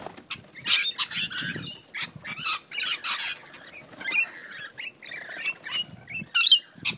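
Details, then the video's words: Rainbow lorikeets fighting in a back yard on the Central Coast of New South Wales; harsh, grating screeches and squawks in rapid, overlapping bursts, broken by short chattering notes, continuing throughout. "Funny Rainbow lorikeet fight"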